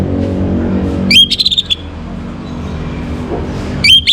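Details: Morning song of an orange-headed thrush, used to raise breeding condition. A short, rapid run of high twittering, whistled notes comes twice, separated by quiet, over low rumbling background noise.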